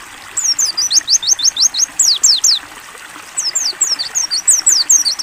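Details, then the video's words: Mountain white-eye, pleci, in a ngalas-style training song with clear open-beak delivery: two rapid bursts of thin, high, downslurred whistled notes, about ten each, separated by a short pause, over a soft water backdrop. "AUDIO MASTERAN PLECI NGALAS BUKA PARUH JERNIH"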